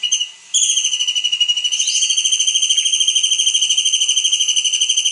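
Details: Kingfisher in full song as a tutor for songbirds: after a short opening note, a long unbroken shrill trill of very fast, even pulses, steady in pitch.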